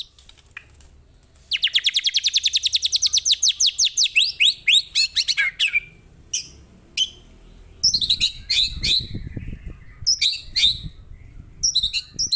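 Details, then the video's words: White-rumped shama (murai batu) recorded from real birds as master song: after a quiet start, a long, fast series of high rattling notes slides lower, then a broken stretch of sharp bursts with low rumbling below. "MASTERAN MURAI BATU TERFAVORIT KOMPLIT TEMBAKAN SUPER GANAS !!! BURUNG DI JAMIN LANGSUNG NYAHUT."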